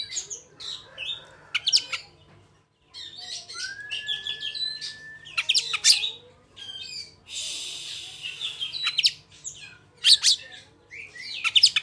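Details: Oriental magpie-robin singing a fast rolling challenge song used to rouse other magpie-robins: bursts of chirps and clicks, a long steady whistle, loud buzzy rasping phrases, and repeated sharp high notes after brief pauses.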